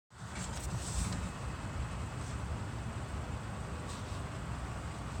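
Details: Continuous low wind or engine-like roar after a brief silence, steady throughout, with no animal calls.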